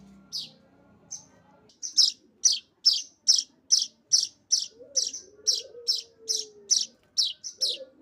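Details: Streaked weaver chick begging while being fed: sharp, high chirps repeated in a steady run about twice a second, with a soft, low warbling tone running underneath.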